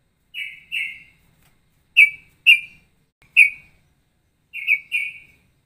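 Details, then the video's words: Ropelan bulbul, said to combine straw-headed bulbul and trucukan traits, giving sparse clear whistled chirps, mostly paired, with gaps of about a second between groups, in otherwise quiet surroundings. "Variasi Ropelan"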